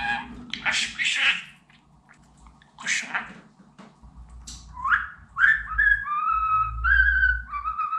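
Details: Indoor pet budgerigar, a talking bird meant to teach phrases like Babacık, Aşkım and Cici kuş. A few raspy spoken-sounding bursts come first, then a run of clear, steady whistled notes.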